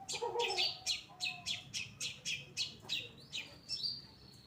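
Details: Lively captive long-tailed shrike, Pastol type, kept as a master bird for teaching other songbirds: a quick series of sharp, harsh, shot-like notes, about four per second, ending in two thin whistled slurs.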